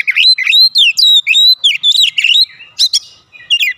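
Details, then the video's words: Oriental magpie-robin singing in the loud, open 'ngeplong gacor' style, meant to prompt a reply from magpie-robins kept at home: rich, harmonic whistles that rise and fall in rapid bursts, ending in sharp high notes. "AUTO RESPON NGEPLONG GACOR KACER ANDA DIRUMAH"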